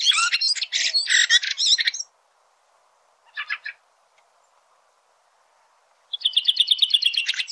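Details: Red-throated thrush singing outdoors: bursts of harsh, buzzy, rapidly repeated notes, a short pause with a brief scratchy phrase, then a fast run of repeated chattering notes near the end.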